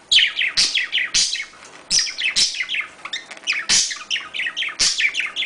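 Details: Energetic budgerigar mating warble, loud bursts of falling chirps and rasping squeaks tumbling one after another with sharp clicks between.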